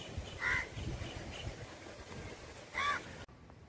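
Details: Little cormorants bathing; one gives two short, harsh, nasal calls about two seconds apart, over a steady low rumble of water and wind.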